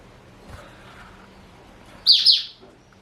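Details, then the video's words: Four-year-old male black-throated canary, Somerini x Botswana line, caged pet: after a faint murmur, a single sharp high two-part phrase of bright, downward-sweeping chirps, then fading silence. "Kicau Merdu BLACKTRHOAT SOMBOS Somerini x Bostwana Usia 4 Tahun"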